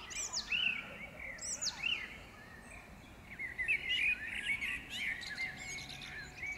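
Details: Birds singing in Powsin Botanical Garden in May 2016: bright high chirps and short downward-sweeping whistles, then a busier warbling chatter of several birds, with steady faint background hiss.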